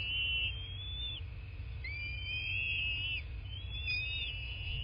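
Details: Bald eagles at the nest in southwest Florida, nest camera recording, 8 March 2024, late morning: three long high whistled calls, each rising then sliding, over heavy hiss and low rumble.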